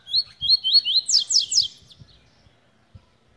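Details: {'caption': 'Tui singing a run of about five bright upslurred whistles, then three fast buzzy descending trills. Faint low knocks follow in the background.'}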